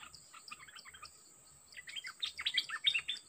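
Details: Dok Taeng bird, a caged decoy set out against a very aggressive wild-caught bird: a rapid, tangled chatter of sharp chirps and short trills, louder and denser in the second half, over a steady high cricket drone.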